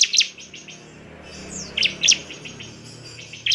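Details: Bar-winged prinia bait song to rouse other prinias: scattered bright, piercing chirps in small pairs and a brief descending high slur, over a soft low background hum.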